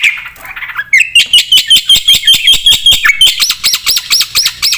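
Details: Javan pied starling in full, varied song: a rising slurred opening, then a quick series of sharp ringing notes, ending in repeated looping whistled phrases at a brisk pace.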